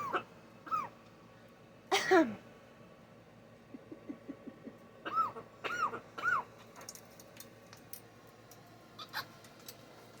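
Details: A female blue-and-yellow macaw coughs, owner wondering if she was sick: a harsh, breathy cough-like burst, with short arched whistled notes and soft clicks scattered over ten seconds.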